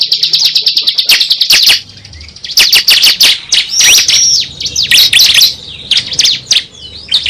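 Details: Lure recording of a prinia called cible: a quick high trill at first, then after a pause loud, sharp chirps and short whistled downslurs.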